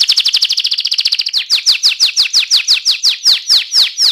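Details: Rolling ngerol song from an AF canary. It opens with a very fast, even trill, then shifts to slower, clearly spaced downward-slurred chirps repeated about twice a second.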